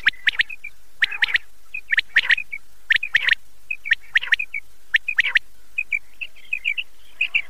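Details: Common quail, known locally as battair, calling for hunters before Eid night. Quick clusters of sharp whistled notes repeat about every second, with softer single notes trailing off near the end.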